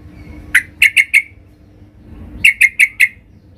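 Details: Sooty-headed bulbul calling loudly to challenge rivals: two runs of four sharp, clipped chip notes in quick succession, separated by a pause of over a second, over faint low hum.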